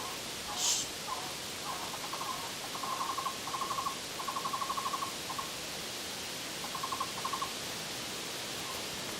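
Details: Cuban trogon, or tocororo, Cuba's national bird, heard on the climb up El Yunque de Baracoa mountain in Guantánamo, Cuba. Series of rapid, evenly pulsed mid-pitched notes come in short runs separated by pauses, over a steady hiss of forest insects.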